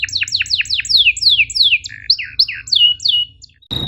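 A canary sings a fast string of about fourteen bright, high notes, each sweeping sharply downward, about three every second. The song ends with a short click.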